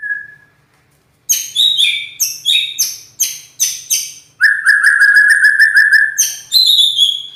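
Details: White-rumped shama (murai batu), praised as a loud, rough-voiced champion, gives a brief whistle, then an energetic run of sharp, high notes, a rapid rattling trill, and more clipped whistles.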